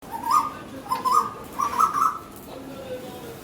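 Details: Asian koel, female, visiting a garden, calling during fighting as communication: loud repeated bursts of harsh, slightly rising notes, about three phrases in quick succession, then quieter lower tones fading out.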